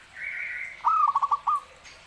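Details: Zebra dove in lively song. A soft, higher, drawn-out whistle from another bird comes first, then the dove's slurred coo runs into a fast series of staccato notes and ends on one longer note.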